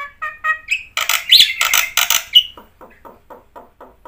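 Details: Black-winged myna singing persistently, its song rich in mimicked phrases, played as a lure for quiet birds: short whistled notes, then loud harsh rasping bursts with a sharp whistle, ending in a train of soft clicks.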